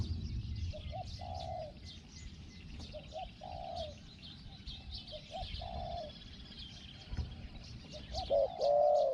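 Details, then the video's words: Spotted dove, a caged decoy bird used in traditional dove luring, answering a wild bird; its voice is described as small and 'hong-hong'. Low hollow coos, a short note and then a longer drawn note, repeat irregularly over steady rural background noise. "ต่อนกเขาใหญ่ "เจ้าสาม"ตามตัวหมาย เสียงเล็ก หองๆ"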